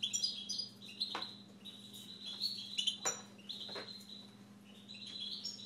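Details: A pet Siberian goldfinch gives rapid tinkling chirps and sharp clicking notes in loose phrases, with brief pauses between bursts, against a constant low hum and thin high-pitched background tone.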